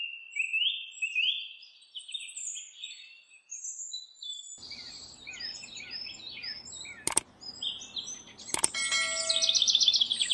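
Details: House wren singing while building its nest: rich, gurgling bursts of high twittering notes tumbling up and down, then softer song over a low background hum, broken by two sharp camera shutter clicks near the end.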